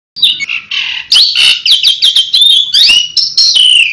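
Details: Asian pied starling giving a tembakan-style song, said to draw any bird in: loud, rapid run of clear whistles, rising sweeps and harsh buzzy notes packed into dense phrases with barely a pause between them.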